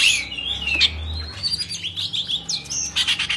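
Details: Caged Oriental magpie-robin singing in a tail-fanning display, a brief stretch of high slurred whistles and quick chirps, somewhat blurred by background noise and low hum.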